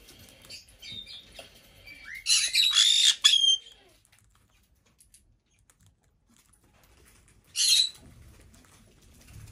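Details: Pet female black-headed parrot, five years old, kept indoors in a bird room on her birthday. Two harsh, noisy squawk bursts, the first longer and ragged, the second short after a quiet pause, in a still room.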